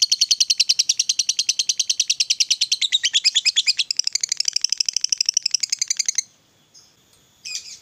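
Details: Fighter lovebird delivering a long ngekek trill, a fast, shrill, evenly pulsed chatter running about six seconds before stopping abruptly, followed by a brief quiet squeak and a short harsh note.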